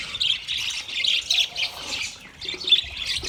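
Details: Budgie chatter dated 29 February 2024: dense, squeaky chirped notes rising and falling in short clusters, briefly easing off near the middle before picking up again.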